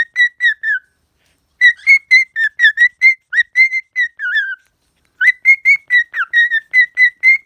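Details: A pet cockatiel sings a run of clear, short whistled notes in quick, bouncy phrases while dancing and jumping.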